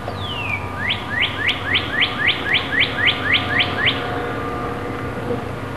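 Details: Robin fledglings leaving the nest and learning to fly: a quick run of about twelve rising, upswept chirps, roughly four per second, opened by one long descending slide, with faint high ticks above and a steady low hum behind.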